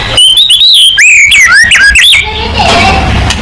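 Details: White-rumped shama in vigorous song, used as a lure to make other shamas answer quickly: loud, clear whistled notes sliding up and down in quick phrases for about two seconds, then a hissy, noisy tail.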